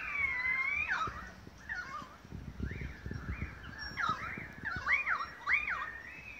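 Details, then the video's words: Australian magpies in a long chorus at Beverly Hills, Sydney, Australia, August 2015: a long arching whistled note, then arched warbles and sharp looping, gurgling phrases repeating toward the end. "Magpie concert"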